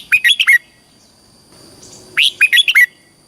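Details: Red-whiskered bulbul from Thailand, southern master song style, played to train young birds or excite caged birds: two short bursts of four or five quick bright warbled notes about two seconds apart, a faint steady high tone behind.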